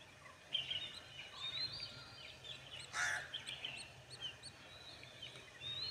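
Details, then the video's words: Several birds at a lake call at once: thin, high whistles and short chirps overlap, with one louder burst midway, over a steady outdoor hiss. "birds sounds in nature"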